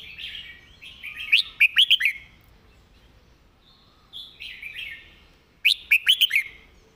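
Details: Caged red-whiskered bulbul singing a clear master song with well-articulated phrasing: two bursts of bright, warbled whistled notes, each opening with a sliding note and ending in quick rising-falling chirps, separated by a brief pause.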